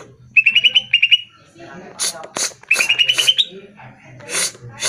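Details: Greater green leafbird song played so caged birds respond. Two quick strings of repeated whistled notes, the second climbing in pitch, with harsh noisy bursts between and after them.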